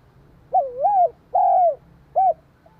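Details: Spotted dove song meant to stimulate another dove: a mellow rolling coo, a drawn-out descending coo and a short clipped note, over a faint low hum.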